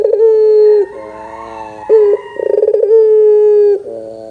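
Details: Barbary dove used as a lure to make young doves answer: a long, steady, low cooing note, then a soft humming stretch and a fast rolling, laughing stutter, followed by another long level coo.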